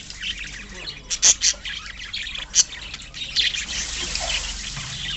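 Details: Colony of budgerigars twittering, several loud piercing chirps rising above the softer buzzy chatter of the flock.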